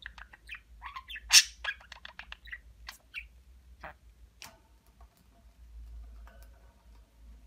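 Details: Kept budgerigar chattering in quick, high, clicky bursts that slow to a few isolated notes, with a low household hum underneath; the bird is known for talking Turkish words such as babacık and aşkım.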